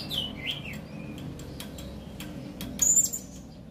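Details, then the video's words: Serindit, the Blue-crowned Hanging Parrot, calling: a single thin, shrill, high note late in the recording, preceded by softer, lower chirps and light clicks. "Suara Burung Serindit Memanggil"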